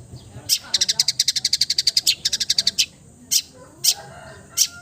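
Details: Cendet, or long-tailed shrike, mimicking other birds: a long fast rattling series of clipped high notes lasting about two seconds, followed by a few isolated sharp clicks.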